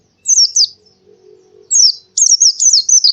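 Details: High, squeaky warbled phrases from an Oriental white-eye in the morning, given in short bursts separated by a faint low hum, with the final burst a rapid chatter of zigzagging notes.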